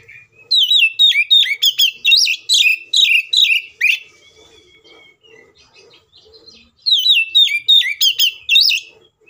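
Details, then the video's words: Oriental magpie-robin in agitated fighting song, intended to provoke rival magpie-robins to sing: about three seconds of rapid loud whistled and chattering phrases, a pause with soft chirps, then another dense burst. "KACER GACOR NGEPLONG NGOTOT TARUNG FULL ISIN❗AMPUH BUAT PANCINGAN KACER AGAR BUNYI SEKETIKA EMOSI!"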